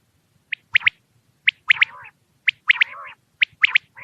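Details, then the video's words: A quail at night gives a sharp three-note call, one high clipped note then a quick loud pair, repeated about once a second with a buzzy trailing note. "quail sound for night"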